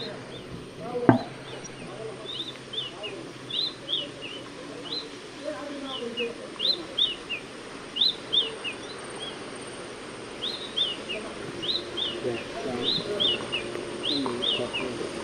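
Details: Shining sunbird (Cinnyris habessinicus) in natural desert habitat of arid Africa or Arabia, dry woodland or scrub. Bright high chirps in quick falling clusters of three or four notes, repeated steadily over a soft outdoor background with one sharp click early on.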